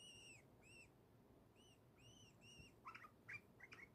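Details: Joyful pet bulbul: a series of smooth, arched whistled notes repeated in pairs, followed by a short burst of sharper, jumbled chirps at the end.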